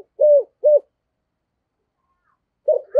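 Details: Spotted dove with a rare 'thổ sấm thúc gù' cooing voice: two low, hollow coos, each slightly arched, half a second apart, then a pause of nearly two seconds before another coo begins.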